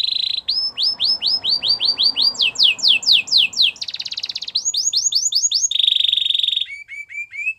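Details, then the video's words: Canary singing to stimulate a silent canary: rolling series of rapid downslurred whistles, a buzzy rattle, a steady whistled tone and short rising chirps, with faint background hiss. "Your canary is quiet? Will sing again after listening to this"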